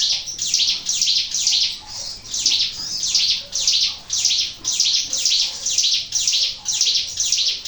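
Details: Lure recording of a Sunda warbler singing steadily: high, burry, descending-sounding notes repeated just under twice per second against quiet surroundings.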